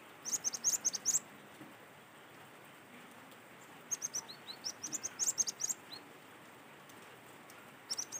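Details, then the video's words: Cinereous tit from Sumatra singing in the wild, a recording meant as a lure and tutor for other tits: rapid phrases of very high, sharp repeated notes, several quick bursts with brief pauses, over light background hiss. "PANCINGAN GELATIK BATU ASLI SUARA ALAM"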